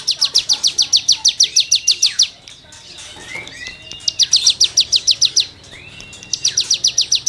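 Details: Cigun song used as tutoring material for songbirds: rapid series of sharp, high chirps repeated in fast bursts, separated by brief pauses with softer slurred notes.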